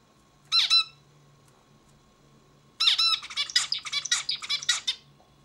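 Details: A zebra finch gives a single harsh, buzzy introductory note. After a two-second pause, a rapid two-and-a-half-second sequence of nasal buzzes and chips follows, all bright and harmonic-rich, over a low constant hum.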